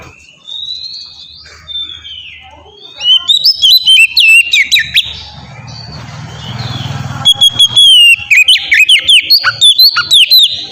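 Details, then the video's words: Oriental magpie-robin singing ngeplong as a lure for untrained birds: a soft whistle at first, then loud quick whistled phrases, a stretch of rumbling background noise, and a renewed rapid run of bright notes. "suara burung kacer ngeplong gacor sangat ampuh buat pancingan kacer bahan bikin cepat gacor"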